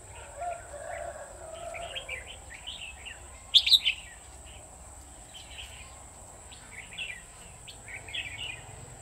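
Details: Red-whiskered bulbul at a trapping site with a decoy bird: short bursts of bright chirping and warbled phrases at a distance, with one louder close note, over a steady high insect whine and low background noise.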